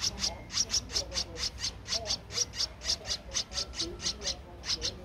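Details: Streak-eared bulbul nestling aged 13 days, recorded 15 April 2023 in Ubon Ratchathani, Thailand: rapid, evenly repeated high squeaky calls, about two per second, steady throughout.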